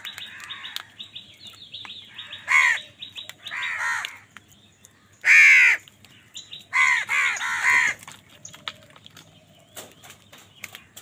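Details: House crows angrily disputing food with other wild birds, scattered raspy caws including one very loud close call and a quick series of three, with faint high chirps and clicks between.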